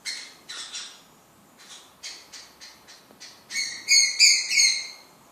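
A cockatiel gives a quick run of bright, harmonic chirps that build into louder, grating squawks.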